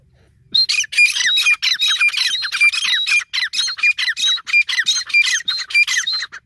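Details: An Irani teetar (Iranian partridge) gives a rapid, unbroken run of harsh, squawky notes laced with thin whistles, about four a second, with nothing else audible.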